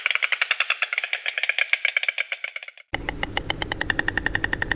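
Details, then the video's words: White stork: a rapid, dry, wooden rattle of sharp clicks, about ten a second, that halts abruptly and then resumes against a louder, rumbling background. "WHITE STORK SOUNDS"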